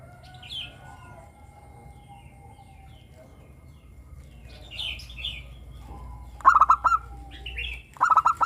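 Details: Zebra dove, local perkutut with a crystal voice, singing as a lure for other doves. Several seconds of scattered high chirps from other birds come first, then two rattling pulsed coo phrases close together at the end.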